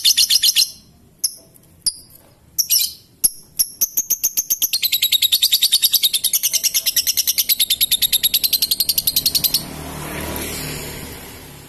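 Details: Long ngekek trill from a lovebird: a few spaced shrill ticks quicken into a sustained rapid chatter of piercing high notes lasting about six seconds, then break off into a soft hiss.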